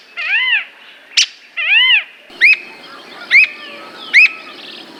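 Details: Squirrel cuckoo in Brazil: two nasal, arched, harmonic notes separated by a harsh burst, then a run of sharp, hooked, high notes about every 0.85 seconds.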